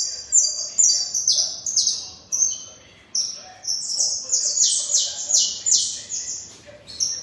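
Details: Saffron finch in strong song, delivering quick runs of high, bright, downward-slurred chirps, some phrases accelerating into dense bursts, with brief gaps between phrases.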